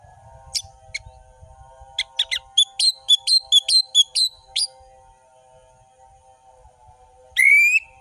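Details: Gacor ngeplong Orange-headed thrush: a series of short sharp whistled notes repeated quickly, then a loud rising whistle at the end, over a steady low humming tone.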